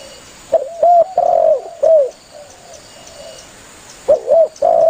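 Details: Spotted dove calling its companions for a hunting lure recording: low, hoarse coo phrases of short and longer notes, a few fading softer coos, then a fresh burst of cooing at the end.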